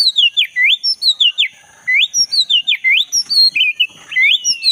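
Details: Black-breasted Oriental magpie-robin singing vigorously, billed as a wild forest recording for coaxing a silent kacer to sing: loud whistled notes swooping down then up, repeated about every half second, with a steady high hiss behind.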